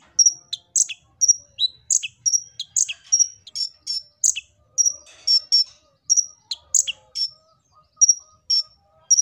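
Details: Olive-backed sunbird song used to lure birds into singing: long, continuous stream of sharp, very high chips and thin whistles, closely spaced and lively, in an otherwise quiet background.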